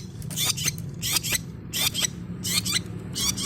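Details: Long-tailed shrike learning its sounds, used to coax lazy shrikes into song; paired scratchy, buzzy high bursts repeated in about five phrases, over a steady low hum.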